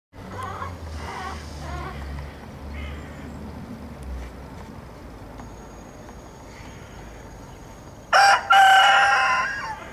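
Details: Naked neck rooster crowing: after eight seconds of quiet background with faint clucks, a loud, harsh, harmonic crow bursts out and carries strongly to the end.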